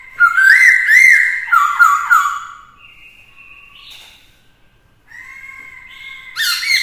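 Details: Black-throated laughingthrush in fighting song, a female stimulating the male; loud looping whistled phrases open, then a flat held tone, a pause, and a steady whistle ending in a bright rising burst.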